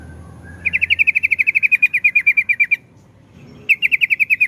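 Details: Yellow-vented bulbul (trucukan) singing a long 'ropel' style trill: after a soft lead-in note, a rapid run of bright, evenly pulsed chirps lasts about two seconds, then a short pause before the trill starts again.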